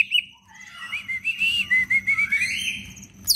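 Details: Cicak ijo leafbird in captivity, singing busily with many fills to stimulate other leafbirds: a sustained, wavering whistle that rises and falls in a continuous quavering line, ending in a sharp high note.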